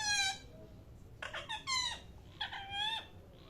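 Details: Loud parrot calls: a bright, harsh squawk, then after a short pause a run of drawn-out, nasal, downward-bending screeches in two bursts.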